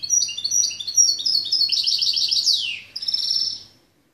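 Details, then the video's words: Goldfinch x canary mule hybrid from 2013 delivering a loud, high twittering song: rapid chirped notes, a brief downward-swept slur, then a short buzzy trill before stopping. "Καρδερινοκαναρο 2013 goldfinch x canary mule"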